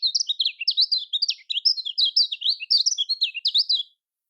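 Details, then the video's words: Lemon-bellied white-eye (kecial kuning) in a Lombok-style song, used to prompt other birds to sing: a rapid, unbroken run of high, sharp chirps and twittering notes for about four seconds, with no other sounds. "Kicaumania Kecial Kuning Paling Suka Ini Untuk Kecial Kuning Kurang Ngacor"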